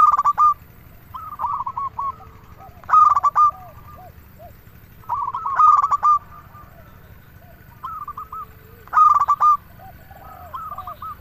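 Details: Zebra dove, local type, singing as a lure for quiet doves: loud, clipped coo bursts roughly every three seconds, with softer, lower rolling coos between them.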